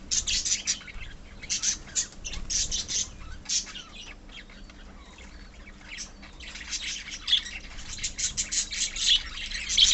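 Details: A flock of pet budgerigars in a colony gives quick bursts of high, clipped chirps, quieter in the middle, then dense chattering again.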